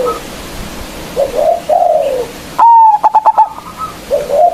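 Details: Zebra dove lure song from a local bird with a big voice, meant to draw rivals into singing: soft wavering coos lead into one loud clear whistle followed by a rapid stuttering series of short notes.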